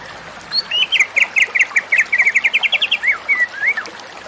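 A White-rumped shama sings a rapid, rich phrase of repeated sweet notes, then ends with a few slurred whistles; no other sounds intrude.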